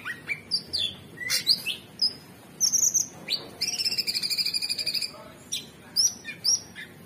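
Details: Orange-bellied Leafbird song, gacor style, mixing sharp upward whistles and short chirps with a long, fast rattling trill held for over a second.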